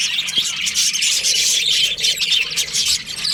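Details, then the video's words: A colony of breeding budgerigars in breeding season fills the air with continuous, overlapping high twittering and squeaky chirps, busy and unbroken throughout. "Cute budgies chirping sounds | beautiful budgies breeding season"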